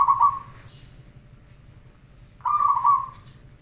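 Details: Zebra dove training recording with two separate short cooing phrases, each opening with a sharp note and running into a soft bubbling trill, separated by about two seconds of quiet hum.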